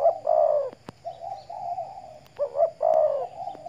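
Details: Spotted dove used as a decoy bird, out sunning in the morning, Riau Islands: mellow hooting coos in a phrase, a stressed double note then a longer coo, with a few sharp clicks in the background.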